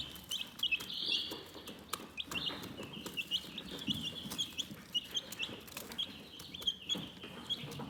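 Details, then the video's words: Relaxed chickens keep up steady high chirps, brief sliding peeps repeating quickly and overlapping, over scattered taps, pecking clicks and faint low rustle. "Chicken Relaxing Soothing Chirping Sounds"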